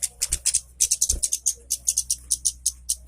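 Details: Orange-headed thrush song meant to stimulate lazy birds to sing: steady series of sharp, high, clipped notes roughly every fifth of a second, over a low steady hum.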